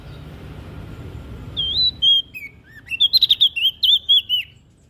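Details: Olive-backed tailorbird from NTB, Indonesia, singing to stimulate other birds to sing: a burst of high whistled notes, sliding and wavering, with quick sharp chips, about two and a half seconds long after a quiet start.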